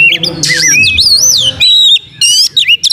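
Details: Lure recording of an Oriental magpie-robin singing briskly with its tail open: high, swooping whistled notes, a harsh buzzy burst, rising slurs and quick chips, loud and close.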